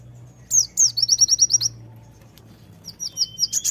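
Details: An active Sunda white-eye songster gives two slurred high whistles, then a quick series of clipped chirps. After a short break a thinner, wavering phrase of repeated notes follows, over a steady low hum.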